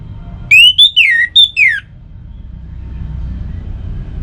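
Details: Orange-headed thrush song played to coax kept songbirds into singing: a quick run of loud, clear whistled phrases, sliding up then down, lasting about a second, then a low traffic-like rumble.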